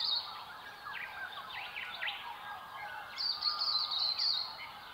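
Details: Silvereyes in a dawn chorus of the Southwest: thin, high warbled phrases and quick twitters over a busy backdrop of lower carolling and whistling from other birds.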